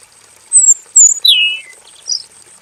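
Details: Caged male robin in a simple aviary giving a long song. Here come a few short, loud, high whistled notes, including a descending slurred phrase, with gaps between them. A faint constant high whine sits in the background.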